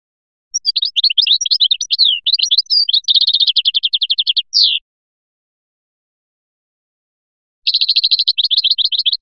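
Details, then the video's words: Caged European goldfinch of the Biskra type, in the flying style, singing: rapid high twittering notes, then fast even trills of repeated short notes, a brief pause, and another burst of quick trilled notes, with no other sounds. "تغريد مقنين بسكرة الفلياشي الرائع"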